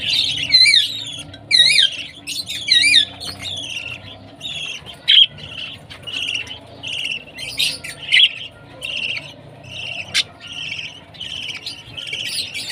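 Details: Baby budgie chirping at feeding time: wavering, warbled high notes at first, then a long series of short, even chirps repeated roughly every half second, with sharp clicks.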